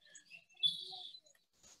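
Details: A grackle in the background on a spring day at High Island, Texas, gives a harsh, squeaky, high-pitched call of about half a second, with scattered chirps from other birds around it.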